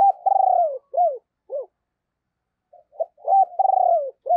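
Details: Decoy spotted dove with a deep, booming voice, calling and urging to lure wild doves: low coos with a long pulsing note that falls at its end, then short arched coos, a pause, and the phrase starting again.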